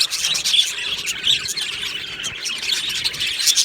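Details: Budgerigar aviary colony, 22 June 2025: a busy wash of high chattering and twittering from numerous birds, with a couple of clear whistled squeaks early on.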